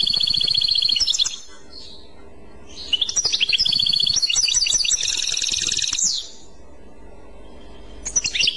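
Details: European goldfinch singing clochette-style: a high steady trill, a short pause, then a long jangling series of rapid twitters, a quieter gap, and a final rising note at the end.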